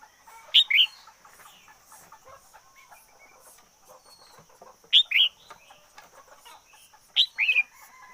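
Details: Red-whiskered bulbul used as a decoy bird, singing loud two-part phrases: a sharp high note then a quick warbled whistle, repeated three times at uneven intervals, with faint softer chirps and a steady high insect-like hiss behind.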